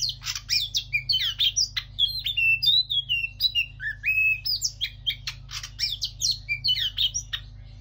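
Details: A captive Oriental magpie-robin in moult sings a rich, varied stream of sweet whistles, slurred rising and falling notes and scratchy squeaks, delivered almost without pause, over a faint low hum.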